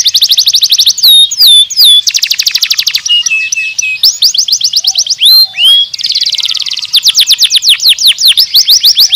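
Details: Canary singing a long song: rapid trills of sharp, down-slurred notes alternate with clear whistled swoops and a few buzzy tours, each phrase repeated several times before the next.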